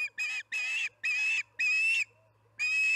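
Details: Osprey calling at the Charlo nest during evening feeding, 6pm on July 9, 2019: loud, harsh, whistled notes with a strong pitch near the top, given in five bursts of about a third of a second each.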